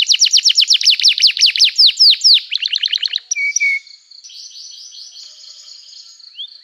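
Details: Singing canary, loud and lively, played to get other canaries to answer: a rapid run of sharp descending chips, two lower whistled notes, then a quieter thin trill.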